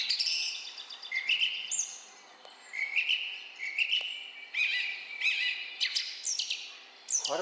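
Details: Song thrush singing on the Otago Peninsula, New Zealand: bright, clear phrases, each repeated two or three times in quick succession, with a faint voice in the background.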